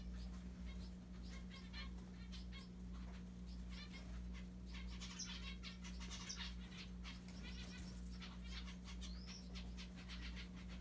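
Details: Pet zebra finches playing with a Santa hat chatter in short, nasal, buzzy beeps over a steady low electrical hum.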